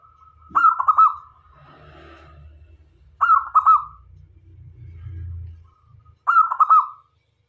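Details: Zebra dove of local stock in full song as a decoy to attract other doves, giving three quick trilled cooing phrases about three seconds apart over a low background rumble.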